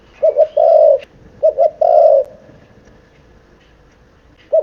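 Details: Seven-month-old spotted dove cooing to stir up wild doves: two short low coos followed by a longer drawn-out coo, the phrase repeated twice, with a faint background hum.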